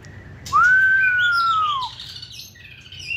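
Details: White-rumped shama, a caged competition-type bird with a short tail, gives one loud, pure, drawn-out whistle that rises slightly then slowly falls, followed by softer warbled notes.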